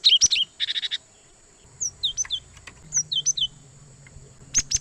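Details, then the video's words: Cinereous tit (gelatik batu) lure recording: a quick downward whistled pair, a short buzzy rattle, then evenly spaced high falling notes in small groups, with a low hum underneath. "suara Gelatik Batu Pikat sangat Baik Untuk Mikat Burung Gelatik Liar"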